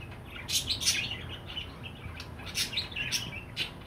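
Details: Pet budgerigar, a parakeet, chirping: short bright chirps and warbles in loose bursts, with quiet gaps between them and a faint low hum underneath.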